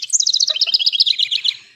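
House Wren song: a fast, jumbled tumble of bright high notes and buzzy trills, pouring out for under two seconds before fading.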